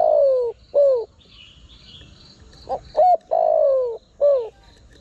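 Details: Spotted dove calling, used as a lure to attract wild birds: mellow cooing phrases, each a short rising note then a longer falling coo, repeated in a quick series with brief pauses between them in quiet surroundings.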